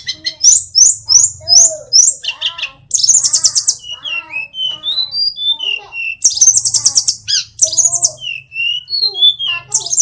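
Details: Hill blue flycatcher, known locally as tledekan or sulingan gunung, from Kokap, Kulon Progo, Yogyakarta, a small bird said to mimic many songs: a busy medley of high whistled phrases, rapid trills and sliding notes, with a faint low hum behind.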